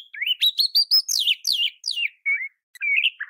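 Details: Oriental magpie-robin song used as a training recording to make other magpie-robins respond and sing actively: a fast run of bright, rising whistled notes sliding upward, then a few slurred, falling phrases and short warbles.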